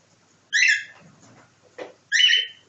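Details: Cockatiel imitating a nightingale gives two strong, ringing whistled notes with a faint soft rustling and a brief low thud between them.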